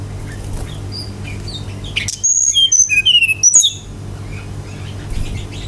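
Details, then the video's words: Lively Brown-chested jungle flycatcher song used to provoke other birds into singing: one burst of sweet, fast whistles that drop and rise in steps, lasting about a second and a half over steady low hiss. "PANCINGAN GACOR SRDC agar cepat ngeplong"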